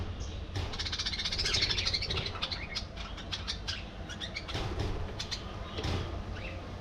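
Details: Budgerigars kept as a colony keep up a soft, continuous high twittering, with clicky ticks and fluttery bursts, against a constant low-pitched hum.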